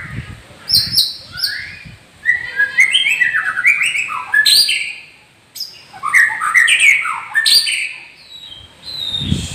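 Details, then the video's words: Champion White-rumped Shama kept in captivity in Gondanglegi, Malang regency, East Java, pouring out a fast, varied song: sweeping whistled notes, descending slurs, buzzy trills and loud clicks in continuous bursts, with a low thump at the end. "Burung Muray Batu LAHAR"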